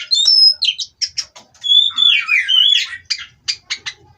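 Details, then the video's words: Kept Oriental magpie-robin sings a thin high whistle, a series of clipped chirps, a tumbling warbled descent, then evenly spaced sharp notes. "Terapi Burung Kacer Agar Stabil di Pedok"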